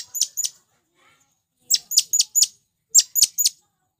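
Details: Shrill, piercing chirps from a male blue-crowned hanging parrot calling for wild birds: two notes, a pause, then two quick runs of three or four sharp, very high squeaks.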